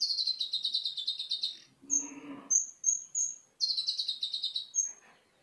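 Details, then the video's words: Olive-backed sunbird (kolibri ninja) singing in a cage-bird training recording with cililin-style filling: fast buzzy trills around the high range, a harsh lower chattering burst, sharp rising whistled notes, then another buzzy trill. "Kolibri ninja Isian Cililin cocok buat masteran"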